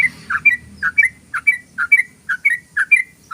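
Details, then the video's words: Rapid 'ropel' song of a yellow-vented bulbul played as a lure: paired chirps, a low burry note followed by a higher clear whistle, repeated evenly about twice a second. "ROPELAN BURUNG TRUCUK PANJANG❗❗❗SUARA BURUNG TRUCUKAN ROPEL"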